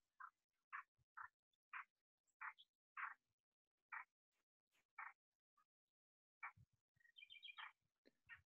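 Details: Common nightingale singing no more than 30 m away on a rural estate in Extremadura, Spain, near a pond, 5 May 2020: short, loud, repeated notes, about two a second, then a quick high rattling trill.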